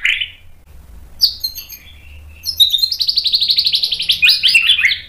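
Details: White-rumped shama song used as a training recording to provoke an answer: a brief high rasp, then scattered high whistles, building into a fast, rhythmic run of bright, repeated notes about four per second.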